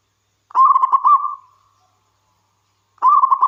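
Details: Zebra dove from the wild local population, singing to prompt other doves to respond: one clear rolling burst of quick coos fading away, silence, then the next phrase starting.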